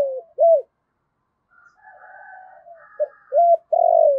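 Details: Captive decoy spotted dove cooing to provoke wild doves. Loud arched coos open the phrase, and quieter murmured notes follow. It ends with a short note, an arched coo, and a long, slightly falling, vibrating coo. No other sounds.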